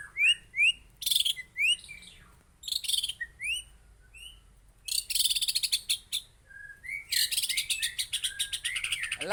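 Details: White-rumped shama of the Aceh type singing: bursts of sharp rising chirps and fast high trills broken by short pauses, with quick repeated note series and one steady level whistle midway.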